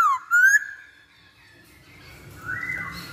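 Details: Masked laughingthrush song played as a lure to get other birds singing; two loud clear slurred whistles, one falling then one rising, followed by fainter whistling and background noise.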